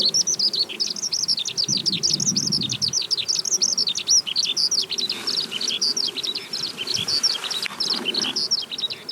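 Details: Eurasian skylark's ascending song flight, known as agehibari: a steady torrent of thin, high twitters and trills, slightly softer later, with low rumbling noise in the background.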